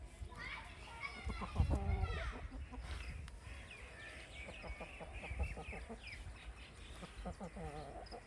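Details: On a farm with baby chicks, thin high peeps overlap with scattered low clucks in a busy, continuous jumble, a few soft clucking runs near the end, steady low rumble underneath.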